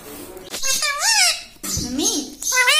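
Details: Green ringneck parrot kept as a pet, talking indoors: two bursts of shrill, squeaky imitated words with wavering pitch, separated by a brief pause, with hissing breathy noise around them.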